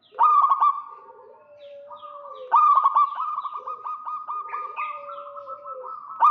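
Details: Zebra doves, local Indonesian birds of both sexes, calling to entice a rival: loud stuttered coos followed by long beaded purring trills, with softer doves overlapping underneath.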